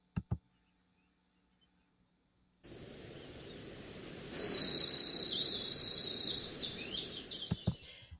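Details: A Dark-eyed Junco in a yard and garden gives a fast, even, high trill lasting about two seconds, rattling like a sprinkler and often heard there, over a low hum with a few clicks.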